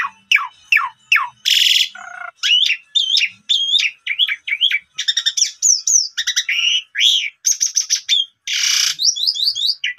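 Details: Asian pied starling, called jalak suren, in a long varied song used to provoke a stalled bird: descending whistles, harsh buzzes and many looping chirps delivered rapidly.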